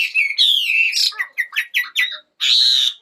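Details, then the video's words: Short morning bird song: a bright sliding whistle, a run of clipped chirps about every quarter second, then a sustained harsh buzzy note. "Chào buổi sáng. Mời ae cùng nghe chim hót."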